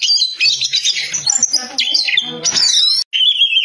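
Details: Oriental magpie-robin in vigorous loud song: dense, harsh chattering and buzzy notes blending into high thin whistles, with one brief silence before a final steady whistled note.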